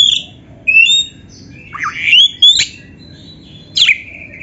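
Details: Oriental magpie-robin (kacer) masteran song for training other kacer: scattered whistled notes with rising slurs and a few sharp high chips, separated by short pauses, over a faint low background hum.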